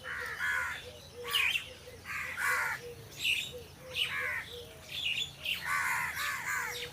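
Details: Several crows among trees cawing in quick succession, rough nasal calls overlapping and tumbling one after another more than once a second, with a few thinner higher notes mixed in over light background noise.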